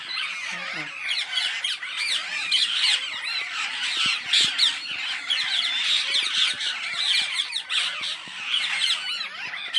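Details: A wild flock of many green parrots gives a dense chorus of harsh, high screeching squawks overlapping continuously with no pause.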